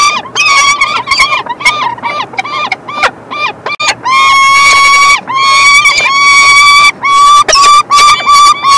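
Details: Peregrine falcon chicks being fed by the male on 3 June 2024: loud, insistent begging of rapid, repeated, harsh nasal wails, some drawn out and flat, overlapping with each other.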